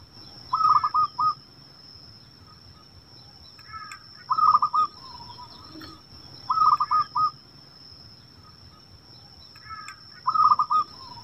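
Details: Wild local zebra dove calling, used to lure caged doves into song: soft, trilled cooing phrases, each a quick stuttered burst ending in a short note, repeated about every three seconds over a steady high hum.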